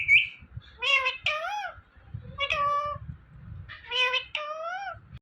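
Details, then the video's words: Indian ringneck parrot imitating speech, "Mithu" and "meow": three paired bursts of nasal, rising-and-falling syllables, each pair about 1.5 seconds apart, opening with a brief high squeak. "Talking Parrot Saying Mithu Mithu"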